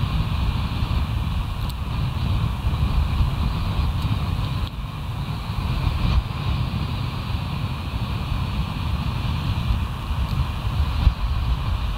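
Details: Steady low roaring wind rumble throughout, with no animal calls.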